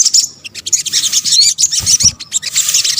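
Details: Sunbird (local name sogok ontong) lure sound: continuous thin, very high chipping and twittering with tiny bright whistled notes, fast and unbroken, plus a soft low knock.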